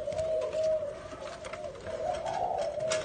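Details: A spotted dove in Nam Định, Vietnam, on 18 April 2022, one of a pair, gives a low, soft, drawn-out cooing, held fairly steady with slight wavering in pitch, against a faint hiss of background noise.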